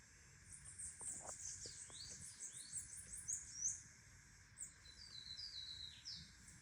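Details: Bananaquit singing a lot: faint, very high, thin twittering with quick downslurred squeaks running almost without pause over a low background hum.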